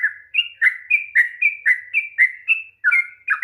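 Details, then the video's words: Sooty-headed bulbul, long 'ropel' song meant to rouse a silent bird into singing: a steady run of liquid whistled notes alternating between lower and higher pitches, roughly two to three per second, clean and without background noise. "kicauan TRUCUK ROPEL PANJANG// perangsang bunyi trucukan malas bunyi"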